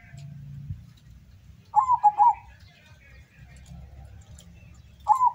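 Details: At a local zebra dove song contest in Sukorejo, Central Java, a bird from Windusari, Magelang, utters a bubbly, falling coo phrase, then starts another; low murmuring and hum run underneath.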